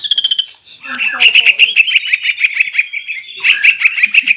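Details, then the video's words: Greater green leafbird in vigorous 'nembak ngeroll' song: a quick high trill, then a steady string of sharp, evenly spaced whistled chips repeated several times per second. "GANAS...SUARA CUCAK IJO GACOR NEMBAK NGEROLL INI BIKIN MENTAL CUCAK IJO LAIN LANGSUNG ON"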